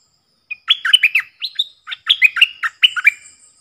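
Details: A decoy stripe-throated bulbul sings a clear, loud song of the kind used to teach young birds and attract wild ones. It is an unbroken run of liquid, chortling notes in several rapid phrases.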